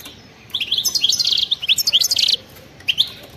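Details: European goldfinch in fast wild-style 'batbata' song: a quick run of bright tinkling, buzzy notes for nearly two seconds, a pause, then one last high chirp.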